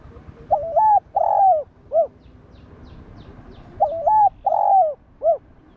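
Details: Cooing of a spotted dove, used to provoke and train other doves: two evenly spaced phrases about three seconds apart, each a hiccuping double coo, a long rolling coo and a short end note.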